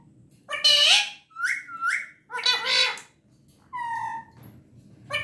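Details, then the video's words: Pet parrot talking, with harsh speech-like bursts, a pair of bright upward whistles and a rough chattering phrase, ending in a level, tonal whistle after a short pause. "mera pyara tota"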